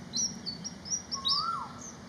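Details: A Malaysian pied fantail gives a lively sequence of about seven sharp, high squeaky notes in two seconds, and another bird adds one lower, swelling whistle in the middle.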